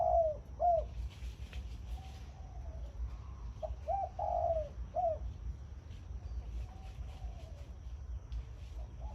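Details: Caged zebra dove decoy bird in the morning, turning left and right as it sings khan yon style: hollow staccato coos and a rolled, purring note, then fainter coos that trail off.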